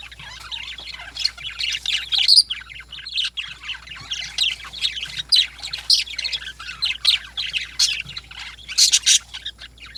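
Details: Lovebirds squawking and chirping energetically in the morning, with continuous shrill, piercing notes in rapid irregular bursts over the whole stretch.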